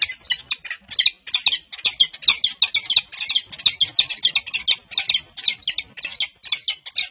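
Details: Peregrine falcon pair, a female and her new mate, courting with beak touches at a UC Berkeley nest site on Valentine's Day 2024; dense rapid chittering of harsh clipped notes, barely pausing across seven seconds.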